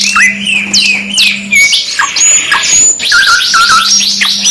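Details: Canary song in a two-in-one master compilation of luxury canaries: dense, overlapping rapid trills, sweeping whistles and rolling chattering phrases, loud and continuous, with a low steady hum under the start and end.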